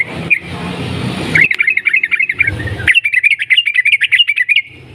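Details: Energetic long 'ropel' song of a sooty-headed bulbul, a lure to make other bulbuls sing. Noisy start, then two sustained runs of fast bubbling, pulsing notes lasting several seconds.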